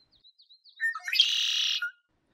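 A male Red-winged Blackbird gives a few soft chips, then clear opening notes that burst into a loud, harsh buzzing trill lasting about half a second.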